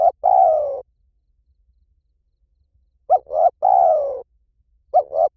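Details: Spotted dove cooing in Liw Tan style to draw a dove into calling back: a long falling coo, then a complete three-part phrase, then the opening notes of another, in a quiet background.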